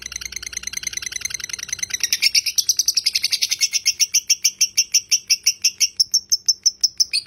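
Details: Lovebird giving a long 'ngekek' chatter: rapid harsh repeated notes, about three per second, starting softer and building into a loud steady burst that runs on for several seconds.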